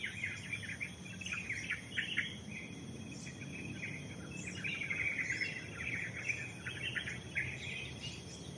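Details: Forest birdsong recorded at the Lemah Duwur hiking post, Lorokan, Pacet: rapid bright chirping phrases and scattered high notes from several birds, with constant insect drone and faint low rumble behind.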